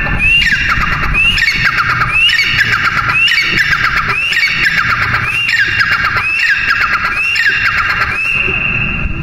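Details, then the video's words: Partridge (teetar) calling over about nine seconds: about eight loud, harsh calls, roughly one per second, each sliding sharply up and then falling away in a buzzy, squawking phrase. Low rumble underneath. "Teeter Ki awaaz | Teetar| Teetar sound | Teetar ki awaz"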